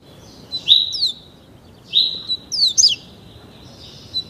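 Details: Captive-bred young double-collared seedeater, only 30 days old, being trained in the tuí tuí Alcântara song style; two bursts of high whistled notes, each a rising slur followed by sharp downward-sweeping chips, with a soft trailing note at the end.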